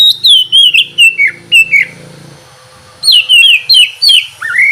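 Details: Oriental magpie-robin singing in the morning, used to prompt lazy birds to sing: loud clear whistled phrases sliding downward, given in quick bursts, a pause of about a second, then another burst of descending whistles; faint low hum underneath.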